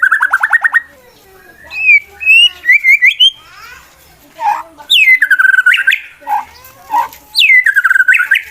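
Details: Competition male white-rumped shama giving a fighting song to provoke and anger rival birds: a rapid trill, then scattered whistled notes and loud downslurred sweeps repeated with pauses between phrases.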